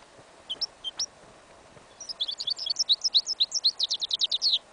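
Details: Goldfinch and canary hybrid, yellow isabel, singing part of its song in a field in winter: two or three short high notes, a pause, then a fast run of bright chirps and trilled notes that grows louder.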